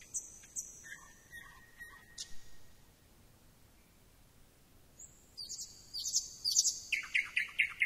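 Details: Thrush nightingale song mixing long high and low whistles with a pause, then buzzy whistling and a rhythmic run of loud clicking notes.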